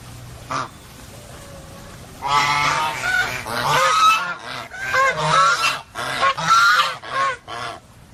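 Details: Several geese break into a noisy chorus of overlapping harsh honks after a quiet start, the calls crowding together in rapid, uneven bursts with a few squeakier notes mixed in.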